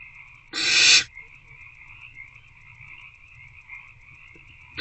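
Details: One loud, rasping hiss from hungry owlets in a nest box at 8:13 pm on 26 February 2024 as they attempt to eat a rodent; a faint steady hum continues afterwards and another hiss begins at the end.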